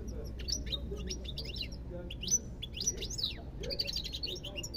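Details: European goldfinch pouring out fast liquid twitters, with rising and falling whistled slurs and rapid chirping runs in three or four phrases, over a soft low hum.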